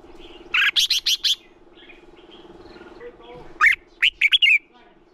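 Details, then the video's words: Red-whiskered bulbul song used to get other bulbuls singing: four rapid buzzy whistled notes, a pause, then a phrase of five bright, warbled notes, over a constant low hum. "Chào Mào Hót - Chào Mào Kích Trống Lên Lửa, Kích Chim Sổ Giọng Hót Sáng. Luyện Chào Mào Hót Đấu Căng"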